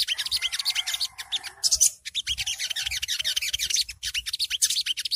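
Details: Ngriwik-style song of a songgo ontong, or long-tailed shrike, used as starter training audio to lure birds: a continuous dense flurry of sharp, buzzy chirps with a short whistled phrase early on.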